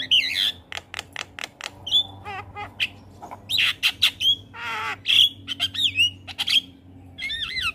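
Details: Gacor Javan myna song meant to tutor young birds: bright looping whistles and wavering trills alternate with sharp clicks and brief rasping bursts, delivered in quick uneven phrases over a faint steady hum.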